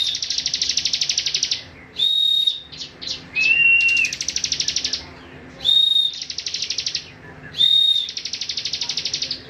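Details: Cibon song used for training other songbirds: long runs of rapid buzzy trilled notes broken by clear, level whistled notes and a lower drawn-out whistle, the pattern repeating every couple of seconds.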